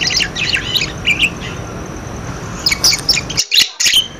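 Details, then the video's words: Budgerigar sounds used as a lure to get silent birds to call: soft twittering chirps, then a brief quiet spell and a louder burst of sharp squeaks and clicks. "suara parkit buat pancingan parkit macet bunyi"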